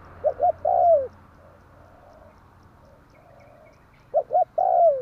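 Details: Spotted dove, tarik akar style lure call for trapping birds: two short clipped coos then a long, drawn-out coo sliding downward, the phrase repeating after a pause over a faint low hum.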